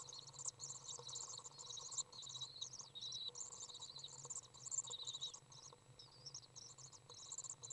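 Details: Common swift young in a nest box, being fed by a parent on June 18th 2011, beg with fast, high, thin twittering in near-constant bursts, over a steady low electrical hum.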